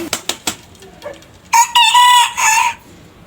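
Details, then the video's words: Rooster crow from a compilation of varied roosters: a few sharp clicks and faint clucks first, then one loud, buzzy crow with stacked harmonics, held steady for over a second and dipping briefly before ending. "Rooster Crowing - Rooster Sound Effect - Gà Gáy - Gà Trống - Tiếng Gà Gáy - Con Gà Gáy"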